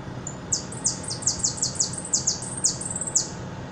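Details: Repique song of a hooded siskin from Buenos Aires: one faint high note, then a quick series of bright downslurred whistles, evenly spaced and piercing, with faint background hum.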